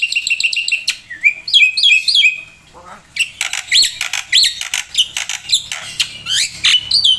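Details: Black-winged myna in vigorous isian-filled song: quick trilled notes giving way to a jumble of squawky, upward-swept whistles and harsh calls in irregular bursts.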